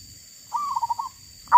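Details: Wild female zebra dove gives a single soft, rolling trill of quick coos lasting about half a second. A louder note starts at the very end.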